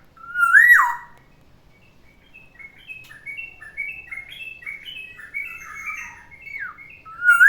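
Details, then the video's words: Pet black-naped oriole's morning chatter song: a loud fluty whistle swooping down, then a long run of soft, quick, squeaky twittering notes, ending with another loud whistled slur. "OCEHAN BURUNG KEPODANG DI PAGI HARI"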